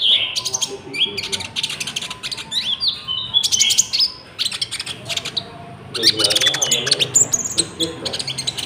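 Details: Song of Common Iora with cricket imitations, meant for luring wild birds and training captive ones; busy stream of chattering, buzzy trills and slurred whistles with hardly a pause.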